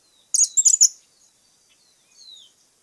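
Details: Cattle Tyrant from Argentina giving a quick burst of shrill, scratchy high chips in three clustered bursts, followed by a soft, thin, downslurred whistle in the background.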